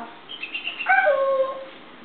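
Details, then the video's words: Cheerful pet African grey parrot, energetic one morning on a kitchen table, makes a brief high chirpy flutter that drops into a pure, steady whistled tone lasting about half a second, in a quiet room. "le gris d'Afrique de bonne humeur"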